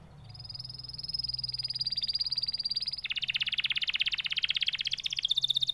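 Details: Canary singing a steady high whistled tone, then switching to a dense, rapid buzzy trill that pulses quickly and evenly, with a bright ringing note at the close.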